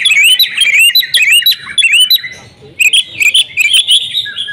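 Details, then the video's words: House-kept female oriental magpie-robin singing hard and unloading its varied isian repertoire: dense run of bright, looping whistled notes and quick chirps, a brief pause, then another rapid burst of sweet upward-curling whistles. "KACER RUMAHAN IKUT GACOR BONGKAR ISIAN SERTA NGOTOT || KACER BETINA"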